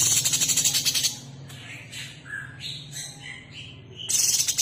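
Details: Female cucak cungkok, the sooty-headed bulbul, calling for the male: a harsh buzzy rattle, then several brief whistled notes stepping about in pitch, and another rasping burst, with a low hum underneath.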